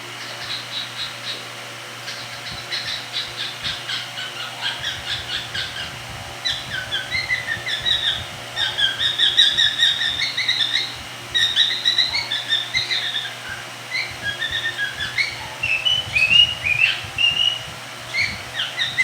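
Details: A talkative pet cockatiel chatters in quick, bright chirps and short whistled notes, one after another.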